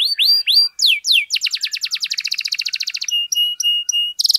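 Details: Canary lure song to get other canaries singing: a few rising swept whistles, a long fast rattling trill, then evenly spaced clear piping notes and a short buzzy burst.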